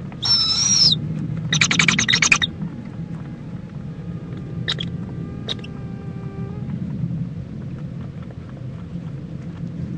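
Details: In Indiantown, Florida, an owl mother checks on and preens with her owlet, February 26, 2014, late morning; a short high screech opens, then a longer rough, noisy burst, a few faint clicks and steady low hum.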